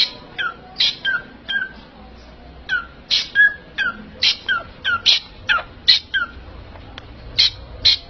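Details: Parrot repeating clipped, scratchy squawks and chirps at an uneven pace, some bright and rising, others dropping, with quiet gaps between bursts and a low indoor hum.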